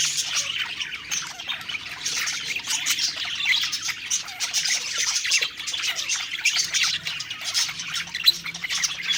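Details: Budgies singing while they eat, in a happy mood; a steady flock-like stream of high chirps, twitters and short squawks with no break.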